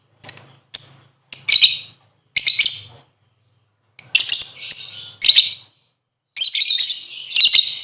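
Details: Lovebird used as a lure call to set other birds singing: short shrill chirps, then longer harsh chattering bursts, separated by brief silences.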